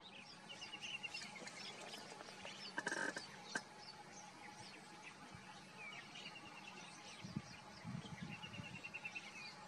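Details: Lesser whistling ducks (Dendrocygna javanica) give thin, high whistled notes in quick twittering runs, with one louder burst near the middle, over a steady hum and outdoor background noise.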